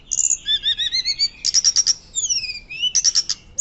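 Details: Hill blue flycatcher singing loudly, a master recording for teaching birds: a rolling sequence of repeated high whistled notes, a burst of rapid clicks, a long descending whistle and another quick bright series.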